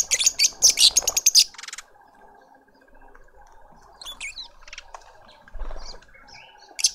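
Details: Lovebird family feeding a juvenile in a suburban garden in Pretoria, South Africa: harsh, buzzy, high-pitched chattering bursts in a quick run over the first second and a half, then quiet, with faint chirps from other birds and a steady mechanical hum.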